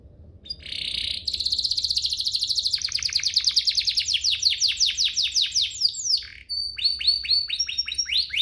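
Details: Canary song played to provoke other canaries into singing: long, rapid, high rolling trills that shift between phrases, with a run of descending buzzy sweeps and quick chattering notes, loud and continuous.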